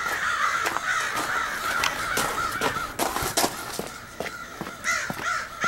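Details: Loud, raucous chorus of crows from a large group that may be choosing partners, 4 April 2015: rapid, overlapping rasping caws, roughly two or three a second, punctuated by sharp snapping sounds.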